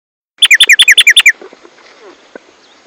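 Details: Caged tico-tico, locally tumba yegua, singing its loud, constant song: a rapid series of about nine bright, sharp downslurred notes in under a second, followed by faint background clicks and rustles.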